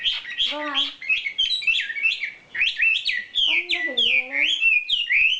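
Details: Champion wambi bird with isian filler song: continuous rich warbling of slurred, swooping notes, repeated quickly, with occasional lower harmonic-rich calls mixed in.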